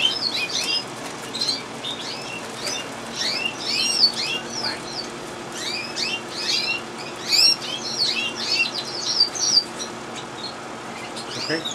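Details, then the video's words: Gloster canary: a steady stream of quick, high, rising chirps and sweeping notes, repeated in clusters without pause, over a constant low hum. "best canary best Gloster 2011"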